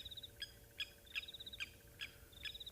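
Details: A lapwing at sunrise on a partly cloudy 5 August 2023 morning on an African game reserve gives sharp, high, metallic alarm notes about every half second with quick ticking trills between, possibly alarmed by nearby leopards or lions, over a faint hum.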